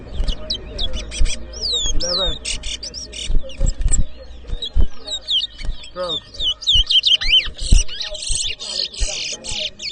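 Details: Chestnut-bellied seed finch (towa towa) singing at a bird whistling competition in Edinburgh Village, Guyana, 2023: rapid run of high whistled notes, sweeping slurs and buzzy bursts, with people talking and low thumps underneath.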